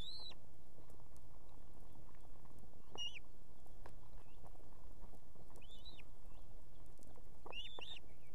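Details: Osprey female on a nest with two chicks in Estonia, calling her mate to bring food in the evening: four spaced, arched whistled notes, some doubled, over a steady low hum.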